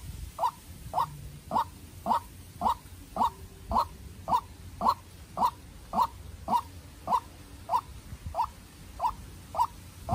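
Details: White-breasted waterhen decoy raised on a farm, fighting a wild bird: long, very regular series of about eighteen short mid-pitched calls, just under two per second, over faint low hum.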